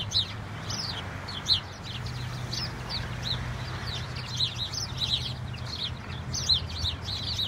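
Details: House sparrows flocking in a snowfall, chirping busily: many short, bright cheeps and chirrups overlap continuously, several per second, with a low steady hum underneath.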